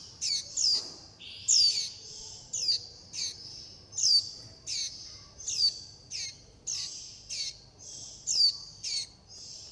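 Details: Nestling warbling white-eyes begging for food and calling the flock: a steady series of short, high, squeaky chirps, about one per second, each slurring down in pitch.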